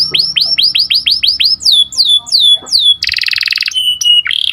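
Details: Canary cuit cuit song with a sharp rolling trill, used as a lure for breeding birds: a series of evenly repeated upswept whistles, slower drooping notes, then a dense buzzy roll and short flat whistles.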